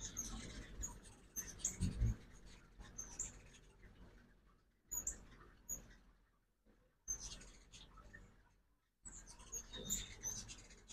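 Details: Ruby-throated hummingbirds at a backyard feeder in Oxford, Mississippi, on a fall migration morning: scattered thin, very high chips and squeaky twitters come in bursts between short quiet gaps, with low rumbling wing and handling noise underneath.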